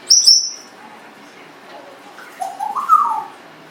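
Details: Pet Congo African grey parrot, 1.5 years old, known for burping, talking and many vocalizations, gives a sharp high whistle followed by quiet muttering and a run of short rising and falling warbled notes near the end.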